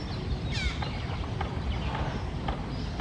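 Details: Red-breasted parakeet (Psittacula alexandri) gives a single harsh, descending screech over steady low rumbling background noise, followed by a few faint clicks.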